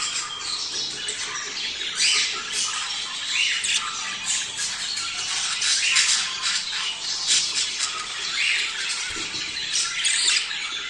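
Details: Budgerigar mating sound for breeding stimulation: sustained harsh chattering and warbling in repeated swells, squawks rising and falling without pause.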